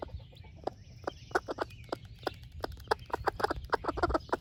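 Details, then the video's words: Rapid, busy clucking from a broody splash laced red wyandotte hen sharing food with her chicks. The clucks speed up toward the end and mix with faint high peeping from the babies. "Sweet Broody Hen Sharing Her Breakfast with Baby Chicks"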